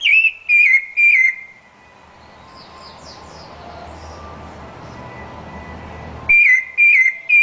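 Rufous-bellied thrush: loud, clear whistled notes in quick groups of three, wavering slightly in pitch, then a pause with faint distant birds and low background rumble.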